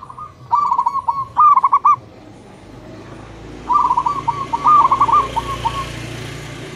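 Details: Local male and female zebra doves answering each other in the morning: two pulsed, trilled coo phrases a couple of seconds apart, with a soft hiss in the background.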